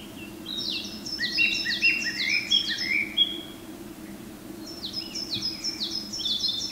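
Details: Male Japanese thrush singing in a forest on Mount Garyu, Hiroshima, Japan, as morning sun enters, 23 May 2019: clear whistled notes slipping downward in quick runs, with higher thin repeated notes above; other forest birds such as coal tit and narcissus flycatcher join in.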